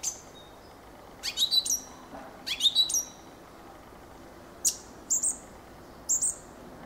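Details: Fieldfare singing short, harsh, chattering phrases, then sparser sharp squeaks spaced about half a second apart, all high-pitched over a quiet background.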